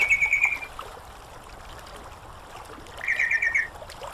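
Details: Training audio to bring a sooty-headed bulbul into song: two brief, quickly pulsed chattering phrases separated by a gap of flowing water noise.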